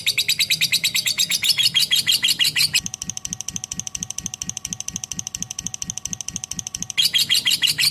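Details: Lovebird 'ngekek' chatter of quick high chips. A softer, lower series of pulsed notes with faint steady tones breaks in midway before the bright chattering returns.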